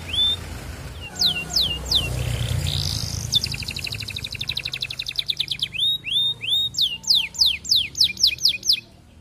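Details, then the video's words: Canary song courting a female, a lure to set other canaries rolling: scattered falling whistles, a long rapid rattling trill, then a run of loud repeated sweeping whistled notes. "Kenari Gacor Panjang MERAYU BETINA Cocok Buat Pancingan Semua Jenis Kenari Biar Ikut GACOR NGEROLL"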